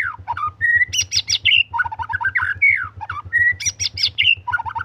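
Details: White-rumped shama singing nonstop in gacor style: dropping whistles, harsh clicking bursts and sweet steady notes, the same phrase repeated about every three seconds, with a low hum behind.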